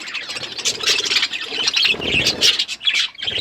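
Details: Budgerigars chirping while eating, short squawky warbles and high trills from several birds in quick succession.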